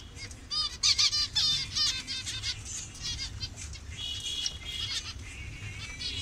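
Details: Zebra finch colony in Bangladesh, birds of several colour variations, starting with loud nasal calls that thin into scattered softer calls and a faint thin tone toward the end.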